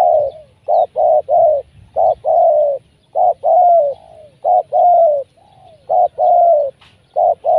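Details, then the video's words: Spotted dove used as a lure bird for trapping wild doves, cooing steadily from below: clear, mellow, low hooted notes in short phrases of two to four, each phrase ending in a slightly falling drawn-out coo, background quiet. "Mikat Tekukur,, Pikat nguku terus di bawah"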